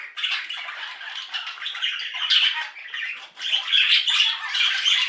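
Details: A flock of budgerigars sings in the morning, chattering nonstop with warbling, squawking and chirping notes.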